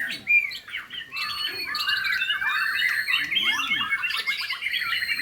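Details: White-rumped shama of the Medan type singing: a continuous, rich run of varied whistles, slurred chirps and rapid trills, some notes rising, others falling, delivered without pause.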